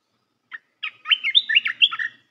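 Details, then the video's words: A Red-whiskered bulbul sings to teach young birds. A short lead-in note is followed by a rich, jumbled sequence of loud, liquid, up-and-down whistles lasting just over a second. "เสียงนกกรงตาแดงEp.168 เสียงหัดนกลูกเสอ เพลงเพราะ น่าฟัง"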